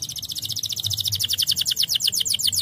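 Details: Canary song used as a lure to prompt lazy canaries to sing: a fast, even, high-pitched trill of rapidly repeated chirping notes running steadily throughout, with a faint low hum underneath.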